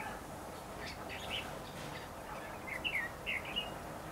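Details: Red-whiskered bulbul heard during trapping on 8 December 2015: after faint scattered notes, a quick cluster of short, clear, slurred whistles rises and falls near the end, over a steady low rural background hiss.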